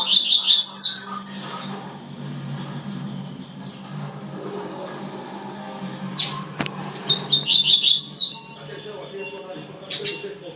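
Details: Tui-tui song from a double-collared seedeater: three bursts of bright, rapid, high whistled notes, each under two seconds, with a sharp click in between and a steady low hum throughout.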